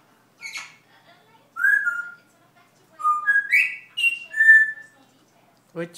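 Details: Pet parrot indoors, learning to talk Dutch, gives a series of clear tonal whistles: short rising and level notes, some stepping upward, in bursts over several seconds, with a brief noisy sound at the end.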